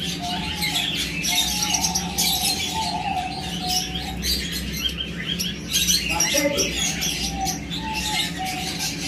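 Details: A bonding pair of New Zealand parakeets (kakariki) keep up a dense, scratchy high chatter, broken by a few short mid-pitched whistles, over a steady low indoor hum.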